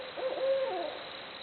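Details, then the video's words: Barred owls hooting: a low hooted note stretches into a sustained, even tone, then slurs downward at the end. Constant background hiss. "Barred Owls Hooting Away Making Jungle Noises."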